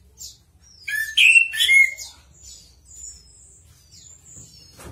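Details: Chestnut-capped thrush (anis kembang) in full song. Faint high notes lead into a loud burst of rich, warbled and slurred whistles in quick succession, then trailing, thin, high whistled phrases.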